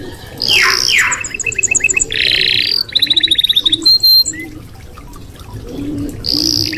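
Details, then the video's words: Red canary song as a tutor recording: bursts of rapid buzzy rattles, clipped repeated chips in fast series, a steady whistled note and harsh broadband buzzes, separated by short quiet gaps. "masteran burung kenari merah"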